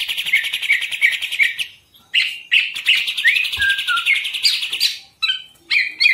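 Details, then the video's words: High, fast-chattering song from a caged green leafbird, given in bursts separated by brief silences, with a few clear downslurred whistles mixed into the torrent. "Cucak Ijo Salto jadi Anteng Lagi"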